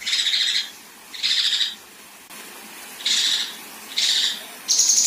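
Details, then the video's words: Female Kinoi performing 'besetan' harsh rasps for contest-bird training: loud, coarse hissing bursts of about half a second, spaced roughly one second apart, ending with the start of a thin, high trill. "Besetan Dan Tembakan Kasar Kinoi Betina"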